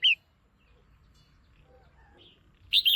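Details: Caged female red-whiskered bulbul calling to stimulate a male or for pairing: a brief bright chirp at the start, then near-silence with faint low rumble, ending in a louder burst of warbled, slurred high notes.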